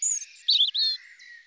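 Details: European robin (Erithacus rubecula), a Russian forest bird, sings a brief, high, thin phrase of quick, sliding, tinkling notes shifting up and down in pitch, over faint background hiss.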